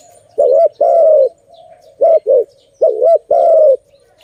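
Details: Zebra dove (Malay dove) cooing loudly near a trap: paired phrases of short humped notes and drawn-out falling coos, four bursts over a few seconds, with a faint steady hum between them.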